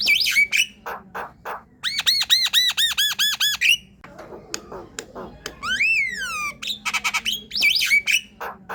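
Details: Javan myna (jalak kebo) singing to prompt a quiet myna to sing: harsh squawks, a run of repeated arched whistled notes, a descending swept whistle and rapid clicks, with strong harmonics.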